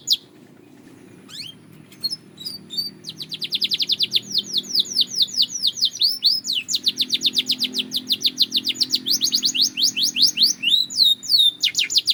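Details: Belgian canary training song: a few scattered notes at first, then a long sustained trill of rapid rising chirps that speeds up and changes tone several times, with a faint hum underneath.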